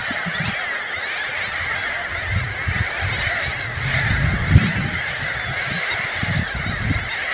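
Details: Glossy ibis uttering deep, croaking grunts in loose runs, louder around the middle, with a continuous chatter of other birds behind.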